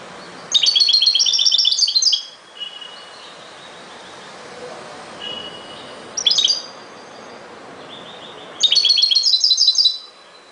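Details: European goldfinch song: three bursts of quick tinkling, chattering notes separated by pauses, with soft thin calls in between and faint background hiss.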